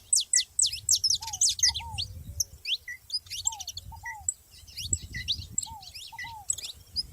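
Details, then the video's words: Saffron finches heard together in nature: dense bursts of quick, high, sharp chirps and sliding notes in rapid clusters, mixed with repeated lower down-slurred whistles and short mid-pitched notes, over a faint low rumble. "canário da terra junto na natureza"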